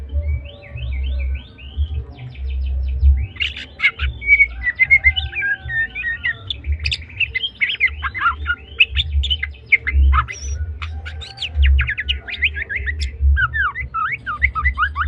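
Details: White-rumped shama of the Medan variety, a young bird in spotted juvenile plumage, singing: a dense, varied stream of whistles, rapid trills, sharp upward sweeps and chattering notes with few pauses, over a steady low rumble and thumping.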